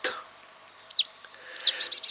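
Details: Marsh tit in the wooded grounds of Château de Lorge, Côtes-d'Armor, France (woods and ponds), giving sharp, high, down-slurred notes, then a quick run of short, bright chips in the last half-second; otherwise quiet.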